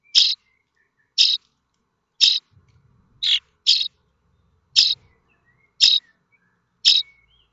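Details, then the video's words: Young common starlings in a nest at Théding, France, on 7 May 2024, begging for food; eight brief, harsh, hissing high calls at near one-second intervals, with faint low rustling in the middle. "Les étourneaux sansonnets de Théding"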